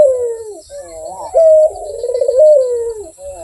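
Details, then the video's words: Sweet, active cooing of a puter (Barbary dove): a falling opening note, then a warbling, trembling roll and a clear level note before another descending coo, with a thin constant high-pitched hum behind. "SUARA BURUNG PUTER GACOR || BERSUARA MERDU"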